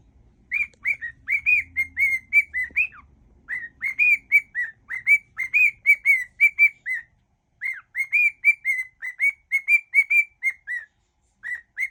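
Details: Cockatiel kept as a pet whistling a medley of tunes it has copied, steady strings of clear whistled notes in quick phrases with short gaps, low household rumble early on.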